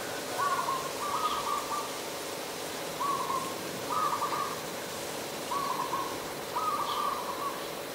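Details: Adult zebra dove in Ubon Ratchathani, Thailand, on 28 December 2020, giving soft stuttering coo phrases, each a short note followed by a longer rapid trill, repeated three times over eight seconds against a steady low background hum.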